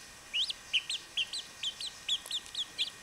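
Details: Chachalaca chicks peeping: a quick, uneven series of about a dozen high, rising-then-falling whistled notes, roughly two per second, against a faint steady background hiss.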